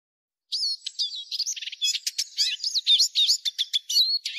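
Arabian babbler giving a fast, varied run of high chirps, whistled rising and falling notes and scratchy chatter, almost without pause, with no other sounds.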